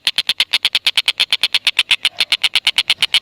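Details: Steady run of rapid, harsh clicking notes from a tengkek buto, repeated about three times a second without a break, used to prompt lovebirds into their ngekek calling.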